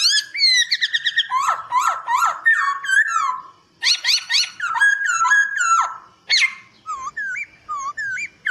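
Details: White-crested laughingthrush, a master song for training cage birds: a loud, varied run of clear whistled phrases, with rapid repeated notes, falling slurs and looping rising whistles in short bursts separated by brief pauses.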